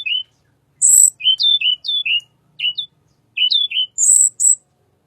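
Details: Little pied flycatcher, a recording used as a lure for white-rumped shama: short high whistled notes dropping in pitch, in loose groups, with sharp very high buzzy bursts at the start and end.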